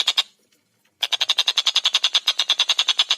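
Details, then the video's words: Fast, close-spaced tengkek buto (collared kingfisher) chatter: a short opening burst, a brief silence, then an unbroken run of over twenty loud, harsh, evenly repeated kek notes. "Masteran Burung Tengkek Buto Gacor Suara Jernih Speed Rapat"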